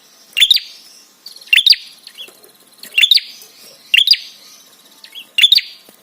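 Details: Prinia therapy call aimed at provoking responses and arousal: five loud, sharp chirp bursts, each a quick stuttered pair of high notes, spaced roughly every second.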